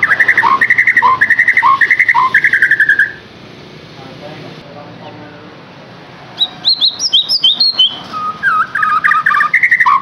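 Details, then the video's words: White-rumped shama song as a lure for captive birds: a repeated pair of whistled phrases, a pause of near silence, then rapid high chattering notes and mixed warbled whistles. "KICAUAN UNIK Cocok untuk pancingan murai batu AGAR LANGSUNG GACOR dan NGEPLONG"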